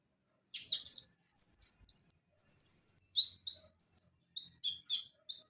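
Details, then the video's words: Konin (Van Hasselt's sunbird) gives a high, thin chattering song in short separated bursts of sharp chips and brief whistled notes, with one longer rapid stuttering phrase, the bursts spaced about half a second apart. "Masteran Konin Macet agar Cepat bunyi Kembali"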